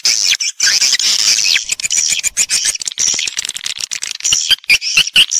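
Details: Lure recording of swiftlets for swiftlet farming: a crowded, high-pitched chattering of squeaky calls, with a few clear descending squeals near the start, then busy overlapping chirps.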